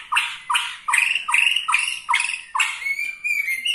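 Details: White-rumped shama of the Borneo style, its voice used to provoke rival shamas: harsh, scratchy notes repeated steadily about every half second, ending in a thin sustained whistle.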